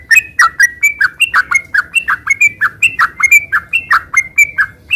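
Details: Sooty-headed bulbul in gacor ngeropel style, singing without pause: a steady string of short, bright, slurred notes, each dropping or rising, given about once a second with no other sounds.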